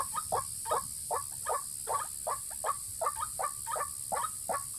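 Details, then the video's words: White-breasted waterhen lure calls aimed at males and females: evenly spaced, short nasal notes with a mid-pitched tone, about two to three per second, very regular, against a soft hiss. "pikat burung ruak ruak jitu memikat jantan dan betina"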